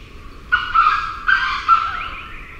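A grey junglefowl crows in two harsh, raspy bursts, each under a second, with a faint reply crow further off.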